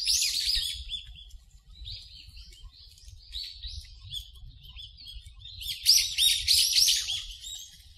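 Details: Wild birds in a park, with noise reduced: high, thin chirps and twittering from small birds, several per second and sometimes overlapping, loudest near the end, over a faint low rumble.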